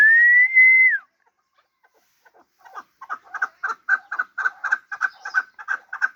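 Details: Hybrid fighting partridge calling: a brief rising whistle, a pause, then a fast run of harsh chuck notes that build in loudness and repeat almost four times a second.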